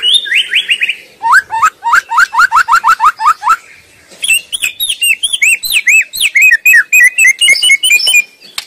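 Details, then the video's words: Wild white-rumped shama singing loudly and continuously in its natural habitat: a rapid run of rising whistled notes, then a long varied stream of sweet, twisting phrases with quick repeated slurs and chattering elements. "Sura merdu Burung murai batu sedang ngoceh gacor di alam liar"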